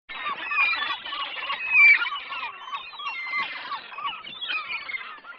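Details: Great black-backed gull on the seafront promenade of Noia and Taramancos Beach, Ría de Noia; loud, harsh, overlapping cackling calls in quick succession, several voices layered with nasal, laughing notes throughout.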